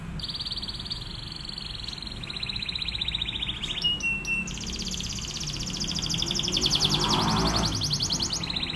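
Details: Canary training song for other canaries, in quick drilling phrases: a long thin trill, a lower pulsed trill, brief whistled and clicking notes, then a rapid bright trill, with a soft low rumble in the background.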